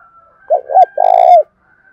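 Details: Spotted dove with the Đồng Thổ voice style, cooing to challenge a rival male. Two quick bent notes lead into a long, vibrating coo that drops slightly at the end, over a faint steady background tone.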